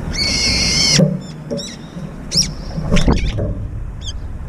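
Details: Brown-eared bulbuls squabbling over food at a feeder: a long harsh buzzy note at the start, then scattered short sharp rising-falling squeaks, with low thumps and rustling throughout.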